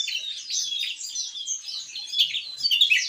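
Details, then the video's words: Javan tesia singing in the lively, loud gacor ngeplong manner: a dense jumble of high, thin chirps and slurred whistles flowing without pause across three seconds, with no other sounds. "Burung TESIA JAWA Gacor Ngeplong"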